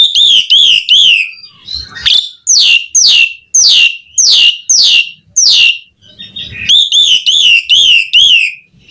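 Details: Asian pied starling, a lively chattering singer, giving steady runs of clear downslurred whistles, about two per second, in a loud, bright, even series with brief pauses between phrases.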